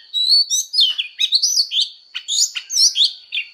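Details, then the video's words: Oriental magpie-robin fighting song during voice training, made of clear, drawn-out whistles that bend up and down, separated by sharp short chips, in a measured series of about ten phrases. "Choè than hót đấu/Choè than hót luyện giọng căng lửa/Choè than hót"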